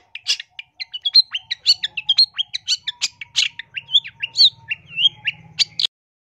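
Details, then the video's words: Long-tailed shrike singing a training song for caged birds and for luring birds, fully packed with imitated phrases: a fast run of varied high chips, short whistles and slurred notes, many rising or falling, with brief gaps between them and a faint low hum underneath. "MASTERAN CENDET GACOR FULL ISIAN ISTIMEWA COCOK BUAT PIKAT BUNYI MASTERAN TERAMPUH"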